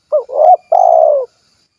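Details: Spotted dove, 'kuk 1' type, recorded in Cilacap, Central Java, giving one clear coo phrase: a brief rising note, a rolling middle coo, then a long, slightly falling hollow coo, with no background sounds.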